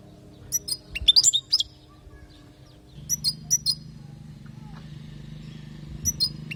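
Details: European goldfinch from Palestine, training recording for young goldfinches; a quick cluster of bright twitters, then a few evenly spaced chirps and a last short pair, over a low hum that strengthens midway.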